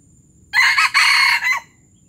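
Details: Junglefowl, Palembang, crowing gerabas: a harsh, hoarse call in four connected parts. A short pair of notes starts it, a long grating centre follows, and a quick end note finishes it, clearly recorded with a quiet backdrop.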